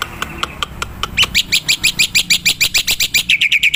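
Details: Wild black-winged myna, sound used to lure birds: scattered ticks build into a rapid, steady series of loud, rich chattering notes repeated several times a second, ending in a lower trill.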